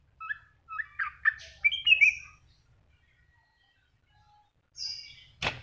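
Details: Greater green leafbird singing a quick run of short, sweet whistled notes that rise and tumble over about two seconds, followed by quiet, then a brief high phrase and a sharp click at the end.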